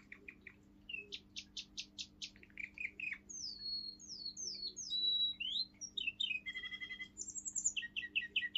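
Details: A seven-month-old male Russian singing canary of a pure line sings the forest tune: repeated buzzy pulses, long sweeping whistles, a brief rattle, then more rapid chirps.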